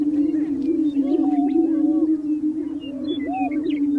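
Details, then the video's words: Lek of displaying greater prairie chicken males on prairie booming grounds in spring, mating display: an unbroken low resonant drone with frequent curved whooping notes and occasional high cackles from many birds. "Greater Prairie Chickens On their booming Grounds - Mating Displays"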